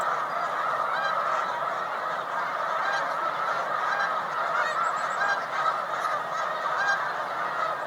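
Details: Large spring-migration flocks of Snow Geese, white and blue morphs, on Cayuga Lake, New York, 20 March 2021, produce a constant, crowded chatter of yelping honks from many distant birds.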